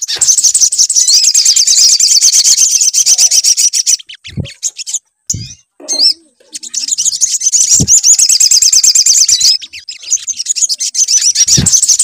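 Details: Sunbird song used as a lure to make the bird sing: dense, rapid high-pitched twittering and trilling with fast repeated notes, broken by short pauses and a few low thumps.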